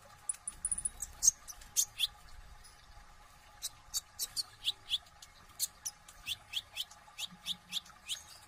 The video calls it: KONIN NGOBRA GACOR ISIAN FULL TEMBAKAN